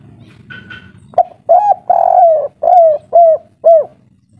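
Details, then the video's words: Agitated local spotted dove giving kuk 3 style calls, a short higher twitter from another bird first, then six loud rounded coos with a longer, falling coo in the middle, evenly spaced. "Derkuku kuk3 lokal gacor ngamuk bikin ribut - suara paten kuk3"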